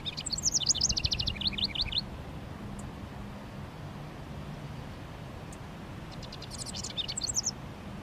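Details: Male house wren singing to mark territory around a honeysuckle vine and bushes in a park on a sunny 19 °C Mother's Day: two rapid, bubbling cascades of high chattering notes, each about two seconds, over low rumble.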